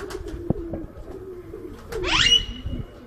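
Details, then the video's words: Rose-ringed parakeet in Lahore, Pakistan, letting out one loud, harsh squawk that sweeps upward and ends in a thin, held tone, after soft, low chattering sounds. "Ringneck Parrot Talking"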